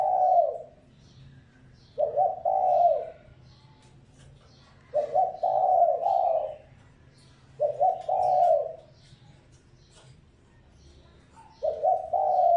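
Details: Spotted dove lure call for attracting wild doves, five gentle cooing phrases spaced roughly every two to three seconds, each a quick double note leading into a longer, mellow, slightly falling coo.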